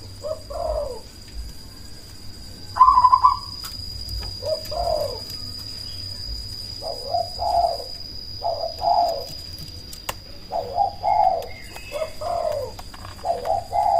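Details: Black cemani zebra dove, kept as a loud caller to lure other doves into answering and to stir breeding drive; short burbling coo bursts repeat every second or so, fairly soft, over a faint steady hum.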